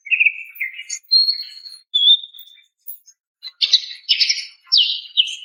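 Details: Female greater green leafbird calling a male: clear steady whistled notes at varied pitches, then a run of loud harsh chirps and slurred squawky phrases, in a quiet background.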